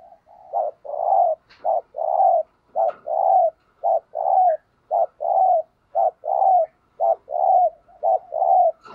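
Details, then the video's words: A decoy spotted dove, used to lure wild doves, sings a long, regular thúc gù series: a short note then a fuller coo, repeated about once a second for the whole stretch, with occasional faint clicks. "Chim Cu Mồi Thúc Gù Bài Bản Nghe Rất Xướng Tai, Dùng Kích Bổi Rất Hiệu Quả"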